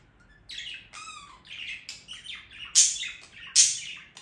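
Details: After a quiet start, a budgerigar breaks into song with a falling whistled note, then scratchy chatter and clicks, building to two loud piercing squeaks near the end.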